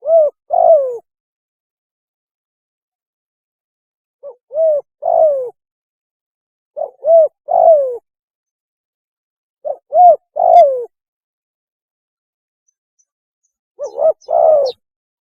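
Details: Spotted dove repeating its mating call five times, every two to three seconds: each phrase is a quick short note, a rounded coo and a falling hoarse final coo. Clear, otherwise silent background.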